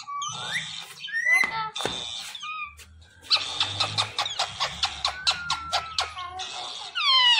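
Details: Talkative pet Indian ringneck parrot kept indoors chatters in squeaky, speech-like bursts, some with rising and falling tones, then a quick run of sharp clicking syllables before more high chatter at the end.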